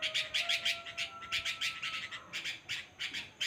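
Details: Quick, raspy chattering from a bulbul, about three harsh notes per second in uneven bursts, over a faint steady tonal hum.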